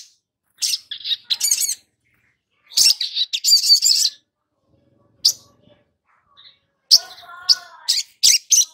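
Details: Long-billed spiderhunter song used as a lure to get young birds singing: bursts of sharp, high chirps and buzzy trills, some with layered wavering notes, separated by short silences.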